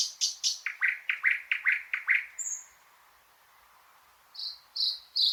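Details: A fast volley of about ten loud, knocking notes repeated evenly in a thrush nightingale's song, then a soft high whistle, a quiet gap, and three flat, high whistled notes.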